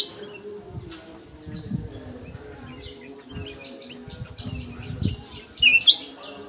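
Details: Golden-fronted leafbird singing in an aviary: quiet twittering builds into a busy stream of high chirps and slurred whistles, with three loud sharp notes near the end. Low thumps and a faint hum sit in the background.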